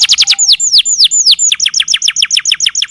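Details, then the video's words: Canary delivering a long, loud song; bright high whistled notes sweeping downward, starting quick, slowing into longer slurred notes, then speeding into a rapid steady series, clean with no other sounds. "SUARA KENARI NEMBAK PANJANG"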